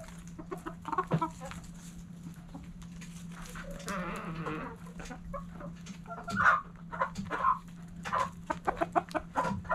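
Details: Backyard hens clucking at sunrise; a drawn-out harmonic cluck around four seconds, then sharp loud clucks near six and a half seconds and a quick run of short clucks at the end, with a constant low hum.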